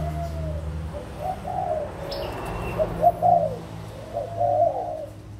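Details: Spotted doves, adults from Malaysia and Thailand, 16 March 2022, deliver mellow rounded coos in clusters, the loudest in the middle and end, over a low hum with one faint high whistle.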